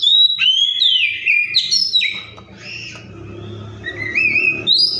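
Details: Oriental magpie-robin song imitating other birds: a fast run of varied whistled slurs and falling notes, then a softer pause and wavering rising whistles. A low hum runs in the background.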